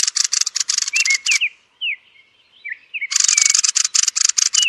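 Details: Roosting thrush: dense buzzy rattles of fast repeated clicks, then a gap with several thin, sliding whistled notes before another long harsh chattering burst.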